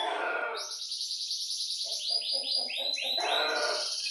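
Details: Energetic canary song played as a lure to make canaries sing, with a long rapid rolling trill of repeated high notes, about three per second, after a brief burst of noise.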